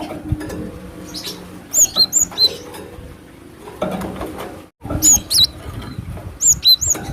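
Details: Cinereous tit lure call recorded in the wild: groups of high whistled notes, bright level note then lower slurred ones, given in three bouts with quieter crackling gaps and a brief dropout.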